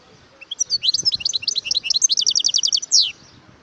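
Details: Wild European goldfinch singing a fast twittering phrase of bright high notes, speeding into a rapid run of repeated sharp chirps and ending on a buzzy downslurred note; quiet background.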